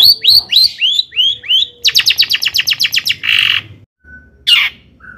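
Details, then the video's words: Long-tailed shrike song meant to provoke other shrikes; rising whistled notes repeated, then a fast buzzy trill, a harsh rasp and a squeal. "kicau CENDET GACOR paling DI CARI cocok UNTUK PANCINGAN CENDET AGAR NAIK EMOSI"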